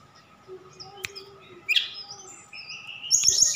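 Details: A Horsfield's bush lark from Sukabumi, Java, whose song holds imitations of other birds, sings a quick, varied run of high whistles and a buzzy sweep, rising into thin trills, over a faint steady hum.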